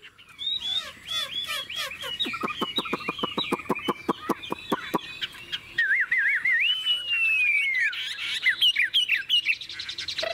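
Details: Caged Chinese hwamei, described as a model bird with a long, wild-type voice, singing a rich varied song: fast rolling whistled phrases, a run of sharp repeated notes, then a long clear whistle sliding down and bubbling trills.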